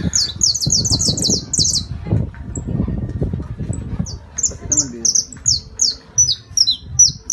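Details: Canario criollo, the Saffron finch, singing in La Guajira, Colombia: rapid strings of bright, high downslurred notes, first packed tightly, then more spaced out, while a man speaks over the opening seconds.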